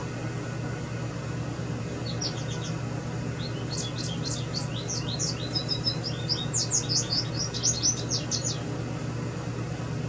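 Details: American goldfinch singing nonstop for about five minutes, recorded through a bedroom window in southeast Wisconsin: a long, rambling run of high, bright twitters and sweet slurred notes over a steady low rumble of traffic.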